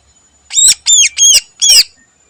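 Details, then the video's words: Greater green leafbird in the morning, singing with mimicked phrases, produces four hoarse scratchy arched notes in quick sequence, loud against a quiet background. "Burung Cucak Ijo Full Isian Istimewa Gacor Pagi Hari"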